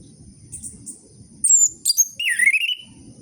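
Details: Orange-headed thrush song for coaxing silent captive birds back into voice. A soft low murmur and faint high notes open the phrase, followed by sharp high squeaks and a long, loud dipping-then-rising whistle.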